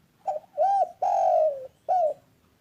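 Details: ['Spotted dove cooing, meant to prompt quiet doves to start calling: a soft short note, then a rounded coo, a long drawn-out mellow coo that sinks slightly in pitch, and a final shorter coo.']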